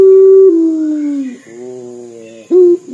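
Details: Local puter dove's dor call, likened to crying: a long steady coo slides down and fades, then a softer layered low tone, then a brief sharp note begins the next phrase.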